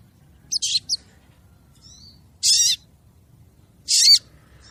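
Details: Female crested jay calling the male, used as a lure sound: three harsh, rasping bursts, the first split into short stuttered notes and the next two longer and even, spaced about one and a half seconds apart.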